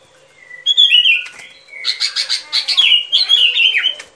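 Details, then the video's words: Sooty-headed bulbul song for luring birds into traps: an opening slurred whistle, then a dense string of sharp, rising-and-falling chirps that ends in tumbling descending notes, over a soft background hum. "Tiếng Chim Bông Lâu Mồi Chuẩn Mp3 || Âm Thanh Đi Bẫy."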